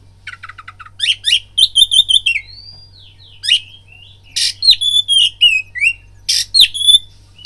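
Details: Oriental magpie-robin lure song to provoke fighting: a short chattering trill, then loud repeated whistled phrases, a long thin rising whistle, and harsh rasps mixed with downslurred notes.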